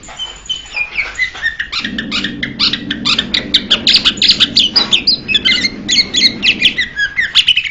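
A Blue-winged Leafbird gives a fast, chattering run of varied high whistles and chips, about three notes a second, over a low droning hum.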